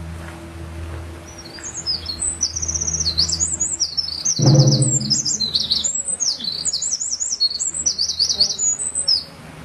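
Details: Eurasian wren in full song beneath a temple's eaves in Kanagawa Prefecture, Japan, handheld camera with internal microphone: a long, loud, high-pitched run of fast trills and twittering phrases, one dull thump midway, low hum in the background.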